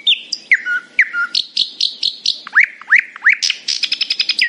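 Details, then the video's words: Happily singing nightingale in the morning, delivering a varied phrase: sharp downslurred whistles, low flat notes, a row of rising upswept whistles, then a rapid high rattling trill to finish. "A happy nightingale singing in the morning."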